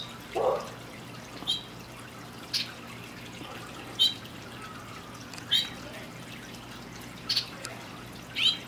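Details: In the evening, a skittish hooded oriole hidden high in palm tree fronds keeps singing after being prompted, giving short, high chirping notes about every second, spaced apart; faint hiss and a brief low sound near the start.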